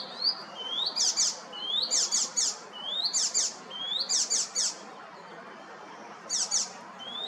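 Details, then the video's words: An icterine warbler sings from a tree by a primary school in Hrodna, western Belarus, on 7 June: rising whistles run into bursts of harsh, high chattering notes, in quick phrases with short pauses. "Icterine warbler singing"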